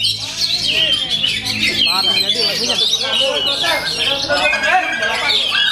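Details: Oriental magpie-robin in full-power singing: unbroken, rapid, high chattering and whistled phrases full of varied fill-in notes, with arched lower notes weaving beneath. The song stays loud and steady throughout.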